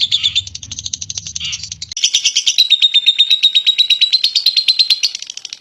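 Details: Lovebird giving clear ngekek, a long chattering song used to prompt other lovebirds: a low hum fades after two seconds, then rapid high chatter runs on, about three notes a second, with a thin steady whistle threaded through.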